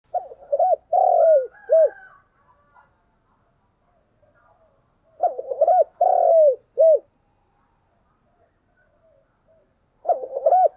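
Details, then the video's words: Spotted dove decoy bird calling in the morning: phrases of quick stuttering notes, a long drawn downward coo and a short final coo, repeated about every five seconds with silence between. "cu mồi gáy gọi"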